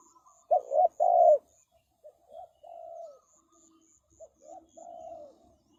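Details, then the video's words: Spotted dove used as a decoy to lure birds, giving two loud, low, hollow coos, then softer, broken cooing phrases with gaps between them. A faint high ticking runs above. "The Sound Of Spotted Dove is good"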